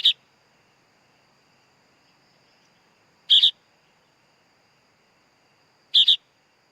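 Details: Young sooty-headed bulbul calling with coarse doubled chirps spaced about three seconds apart, background otherwise quiet apart from a thin high hum.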